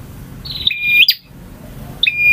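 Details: Single phrase from a male bar-winged prinia's kristal and ngalun style song: a buzzy trill sliding into a clear high whistle with a snapping finish, then the next whistle begins.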